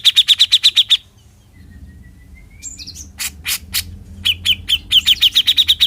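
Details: Besetan song of a Bearded bulbul (cucak jenggot): a quick volley of sharp chips, a quiet stretch with a faint long whistle, then scattered harsh notes building back into a rapid chipping run.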